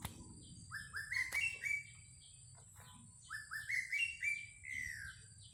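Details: Greater racket-tailed drongo singing as a lure: two matching phrases of short, rising, clear whistles about three seconds apart, each ending in a longer slurred note, with faint higher chirps and a sharp click.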